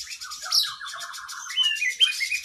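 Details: Oriental magpie-robin (kacer) training song for cage birds, singing vigorously with long fill-ins of other birds' phrases: dense chattering trills, slurred whistles, and overlapping high buzzy rattles, swelling midway.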